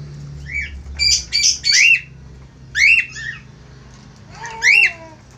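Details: A budgerigar pair in song: clusters of high squeaky chirps and rolling warbles, a few grouped bursts with pauses, over a low humming background.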